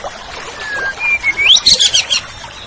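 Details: Oriental magpie-robin on a tutor recording for kept songbirds: a level whistle rising into a high sweep, followed by a rapid series of scratchy chattering notes.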